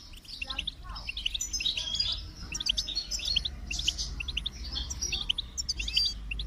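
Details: Continuous high twittering song of a goldfinch, with chattering notes and brief trills. A low background rumble is steady throughout.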